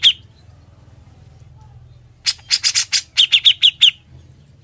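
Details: Grey-cheeked bulbul song meant for tutoring other songbirds: after two quiet seconds, a burst of raspy chattering notes turns into a rapid series of sharp, high, clipped notes.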